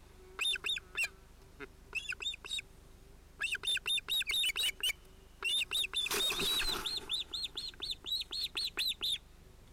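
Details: Ospreys on their nest in Finland, 31 July 2018, adults with two chicks probably males, as one chick breaks into the pair's moment: clustered shrill whistled chirps in short bursts, a rustling flap, then a long fast series.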